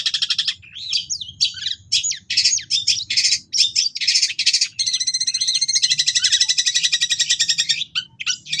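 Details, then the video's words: Long-tailed shrike in energetic gacor song with cililin-style fill, meant as a training recording for captive birds: varied quick chirps and slurred notes give way to a long, dense, rattling trill, with faint low background hum throughout. "Awalnya Cendet Bisu Setelah Dengar Suara Ini Langsung Gacor Ngamuk"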